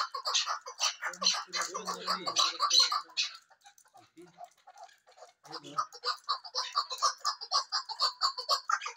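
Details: Female chukar partridge calling: rapid repeated harsh clucking notes in a dense chattering series, about two per second, pausing midway then resuming steadily; faint low murmur in the background.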